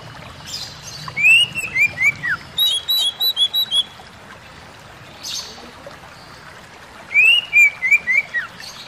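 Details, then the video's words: Oriental magpie-robin (kacer) song for stressed birds: a fast series of clear downslurred whistles followed by higher repeated notes, a pause with faint trickling water, then another run of descending whistles; low background hum. "burung kacer lain dengar suwara ini pasti langsung emosi"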